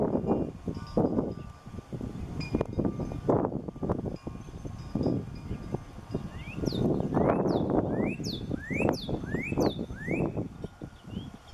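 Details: Northern cardinal singing at sunset on April 20, 2020: after a few seconds of low rumbling wind and rustle, a series of clear whistled notes begins, each rising sharply, repeated roughly twice a second, over steady low background noise.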